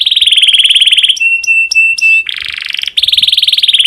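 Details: Domestic canary in breeding condition, song used to stimulate other canaries to sing: loud, high rapid trills of repeated notes, then a few clear separate whistled notes, a harsh buzzy phrase, and another fast rolling trill.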